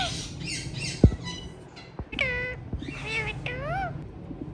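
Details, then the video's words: Hand-tame ringneck parrots giving several nasal, harmonic calls that bend downward then rise, mixed with clicks and taps and a low steady hum indoors. "Most Colorful Parrots Natural Sounds"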